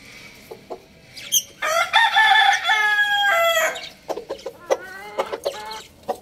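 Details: A rooster gives a long, loud, harmonic crow of roughly two seconds that wavers and then drops off. Short clucks and chatter from other chickens come before and after it.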